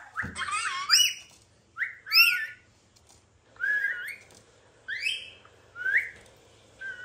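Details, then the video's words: Talking pet rainbow lorikeet repeats bright rising whistles, about one every second, some sliding into higher squeaky overtones, over a quiet indoor background. "Lorikeet Parrot Sound"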